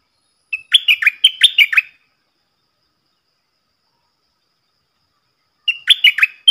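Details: Decoy stripe-throated bulbul song for teaching young birds and luring wild ones: a rippling phrase of quick falling whistles, nearly four seconds of silence, then the same phrase starts again.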